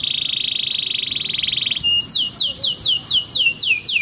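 Canary song: a fast, even high trill for nearly two seconds, then a run of about eight clear whistles sliding downward, roughly four per second.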